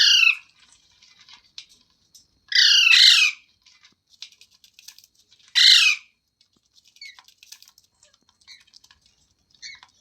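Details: Parrot uttering three loud, grating squawks roughly three seconds apart, some with a rising-falling harmonic shape, followed by soft ticking chatter.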